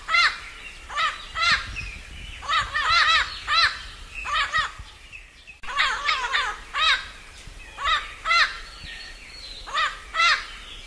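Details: Parrot at dusk giving harsh, raspy squawks in short bursts of two to four, repeated roughly every second, over a faint low rumble.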